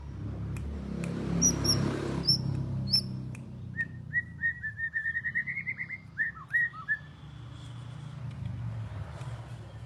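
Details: White-rumped shama from Java: a few thin high notes, then a rapid run of short, clear whistled notes at an even pitch that ends in a couple of falling notes, over a low background rumble.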